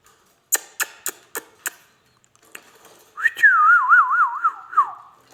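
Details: A talking Indian ringneck parakeet kept as a pet: five sharp clicks in quick succession, a short pause, then a pure warbling whistle that rises and wobbles rapidly up and down before sliding lower.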